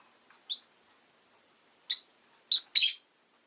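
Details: Rosy-faced lovebird chirping: two isolated piercing high chirps over two seconds, then a quick pair ending in a longer raspy chirp.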